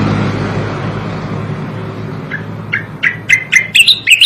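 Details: Striated grassbird, recorded to train songbirds: after a low background hum, spaced clear notes begin, then come faster and break into a lively, higher warble that is still going at the end.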